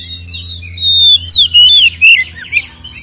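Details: White-rumped shama song used as a lure to agitate captive birds: a series of long, loud whistles, each gliding downward, followed by a buzzy note, over a faint low hum.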